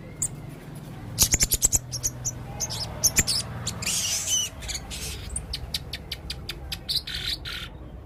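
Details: Blue-crowned hanging parrot, a red-throated male singing a varied repertoire: quick runs of high, thin chirps, buzzy rasps and squeaks over a steady background hiss.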